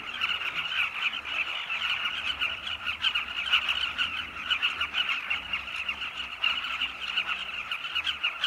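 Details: Flocks of Carmine bee-eaters fly at sunset around their nest tunnels in a Zambian cliff, seeking insects to feed chicks. Dense chattering of countless birds, with rapid buzzy notes layered into a steady chorus.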